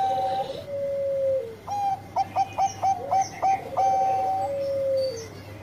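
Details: A Bangkok zebra dove singing well. A long, smooth coo slides downward, then a string of about eight short, evenly spaced ticking coos follows, and the phrase ends with another long, descending note.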